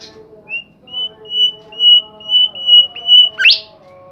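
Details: Bimoli bird in lively song: a steady train of about eight high, evenly pitched whistles, roughly two per second, capped by a sharp upward-sweeping note.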